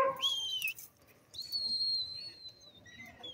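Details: Indian ringneck green parrot giving clear whistles: a short rising note, a pause, then a long high sustained whistle that slowly falls, ending with a lower brief note.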